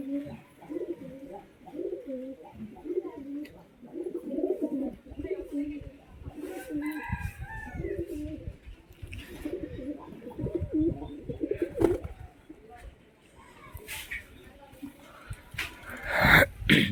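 Several pigeons coo in low, throaty, rolling phrases that overlap continuously.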